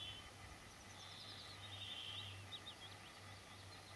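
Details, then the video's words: Woodlark singing in June near Murmansk, a faint high solo of short descending whistled notes and trills, repeated quickly, over a steady low hum of background noise. "Солирует лесной жворонок."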